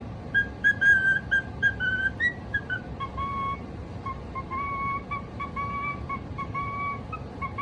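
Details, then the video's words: Pet cockatiel singing: a string of clear whistled notes, short and stepping up and down at first, then longer level tones, over a steady low rumble. "Cute Singing Moments"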